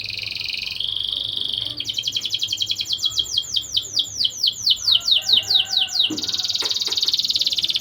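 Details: Vocal canary singing as a lure to boost breeding drive in young canaries: a short buzzy trill, then a long fast series of downward-sweeping whistled notes, ending in a dense, high buzzing trill.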